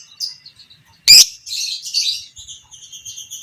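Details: Fighter lovebird, violet parblue creamino, used as a masteran tutor so other lovebirds learn long ngekek chattering; a sharp loud click, then a high, rasping chatter that trails into thin squeaky notes.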